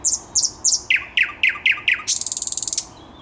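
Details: Thrush nightingale singing on 10 May 2021: high piping notes, then a run of loud hooked whistles near the low end of the song, ending in a fast dry rattle of clicking notes.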